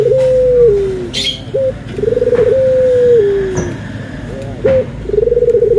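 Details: Barbary dove cooing, from a comparison of white and brown birds: purring trill into a sustained level coo that slides lower, a short sharp note, then the pattern repeats; a bird chirps briefly.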